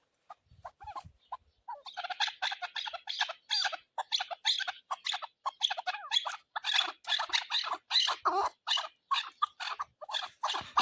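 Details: Chukar partridge calling in a long, fast run of harsh, clucking chuk notes, several per second, building into a dense chattering rally with no other sounds.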